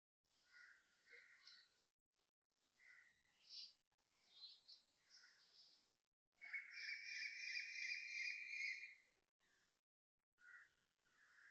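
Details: Asian koel calling loudly at 6.55am on 30 January 2026 beside a residential block in Toa Payoh, Singapore; bursts of shrill repeated notes build into a long, rapid, intense series in the middle, with faint background hiss.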